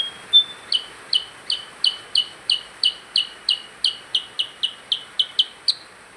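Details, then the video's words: Actively singing percang bird: a short high whistle opens a long regular string of about fifteen crisp, descending chirps, roughly three per second, with no other clear sounds besides low hiss. "Burung percang gacor"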